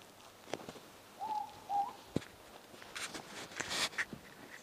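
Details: Morepork (ruru) calling outside at night close to the listener: one two-note whistled hoot, the first note level, the second slightly rising, set among scattered clicks, knocks and rustling noises.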